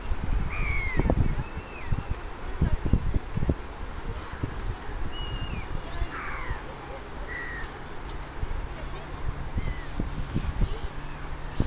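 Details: Common sandpiper recorded at the ría do Burgo estuary in 2006: thin, high whistled notes, some short and level, others sliding downward, scattered through the clip over steady low rumbling wind noise.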